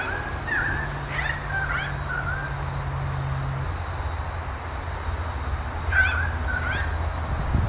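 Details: In the Royal National Park south of Sydney, a pair of currawongs defending their nest from a climbing lace monitor give harsh, squawking alarm calls in a cluster of short bursts, then again after a pause, over a steady low rumble.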